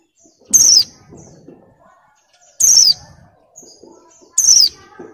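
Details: A female white-eye still in breeding condition during molt calls for males: three shrill, downward-sweeping whistled notes about two seconds apart, separated by quiet stretches with faint soft rustling sounds.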